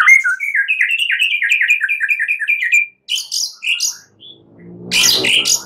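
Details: Rapid rhythmic series of chopped whistled notes repeated about five times a second, then high scratchy phrases and a burst of harsh noise, from a white-rumped shama song played at night to encourage singing.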